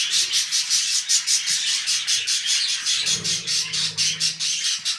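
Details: Pet budgerigars mating at the start of a new brood: buzzy, scratchy chatter pulsing in rapid, fairly even bursts, about two or three a second, over a faint low background hum.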